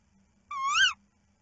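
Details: Tawny owl female calling at night as she leaves the nest box while the male guards the eggs, caught by a nest webcam: one short, clear, harmonic-rich call lasting about half a second, rising then dipping, over a faint low hum.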